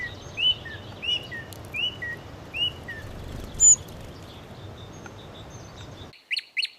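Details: Eating sparrows give short upslurred and downslurred chirps roughly every second, a louder high note midway, then after a cut a few sharp chirps.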